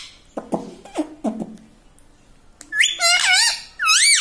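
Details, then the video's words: Indoor pet parrot that speaks "mummy" and "radhe radhe" gives a few low clucking sounds, then two long, high, undulating voice-like phrases. "talking parrot mummy ||mummy bolne vala parrot ||radhe radhe vala parrot"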